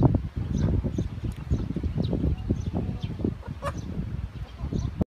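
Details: Flock of call ducks chattering, short rough quacks tumbling over one another in quick succession.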